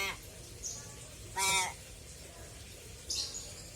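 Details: Pet common hill myna uttering a single loud, harsh, rich-toned note lasting about a quarter second, with quiet high chirping from other birds before and after.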